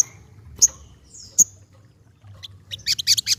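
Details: Ruby-cheeked sunbird giving a few sharp, isolated high chips with slight downward tails, then breaking into a short run of quick, high twittering notes at the end.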